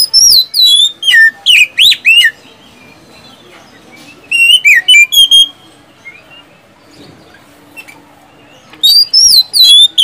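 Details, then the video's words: Oriental magpie-robin singing loudly, its whistles and burst phrases meant to coax reluctant magpie-robins into song: three separate clusters of bright, sliding whistled notes with quiet gaps of several seconds between them. "SIULAN dan TEMBAKAN kacer satu ini,DIJAMIN ampuh buat pancingan kacer macet malas bunyi jadi gacor"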